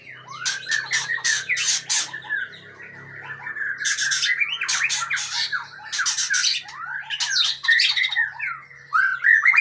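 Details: White-rumped shama, long-tailed Aceh type, delivering loud bursts of harsh, buzzy chattering notes mixed with short whistled slurs, in phrases of two to three seconds separated by brief pauses, over a low steady hum.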